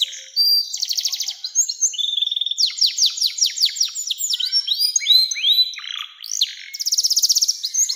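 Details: Canary singing long 'nembak' style, used as a tutor and lure for young canaries: fast trills alternate with bursts of steep downward whistles and rolling phrases, closing with a high, even rapid trill.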